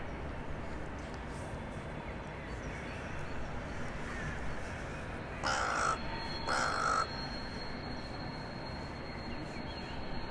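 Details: Evening exchange, 23 January 2021, from a crow living in a town centre as others arrive for the night: a pair of rasping caws roughly one second apart after a long stretch of low town background noise.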